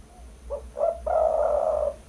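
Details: Spotted dove call, used as a lure and tutor recording for birds: two soft, short low notes followed by a long, drawn-out, mellow coo, with a faint steady hum in the background.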